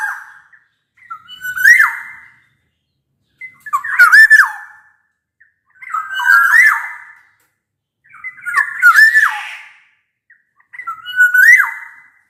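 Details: Black-naped oriole singing vigorously, a recording meant to prompt lazy orioles to sing: five fluty whistled phrases, each rising then falling, spaced about every two and a half seconds in otherwise quiet surroundings.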